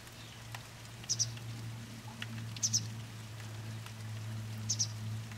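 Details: A juvenile pied wagtail sitting in a garden at Langholm gives thin, high double 'tsi-tsip' notes every second or two, thought to be begging calls, over a steady low hum and soft patter.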